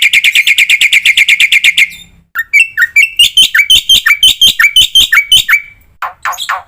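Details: Black-winged myna training song for other captive mynas: a fast run of bright, evenly repeated chirps, then a series of rising and falling whistled notes, ending in two harsh rasping calls.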